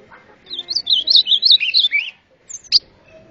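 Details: A golinha (white-throated seedeater) performs the azulão song: a fast, sweet warble of looping high notes that ends in a lower slur, a short pause, then one sharp high note.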